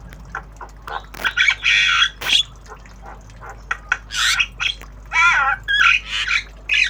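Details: Tame Javan myna in loud obyogan chatter while learning sounds: dense harsh squawks, grating buzzes and wavering whistled notes tumbling together with few gaps.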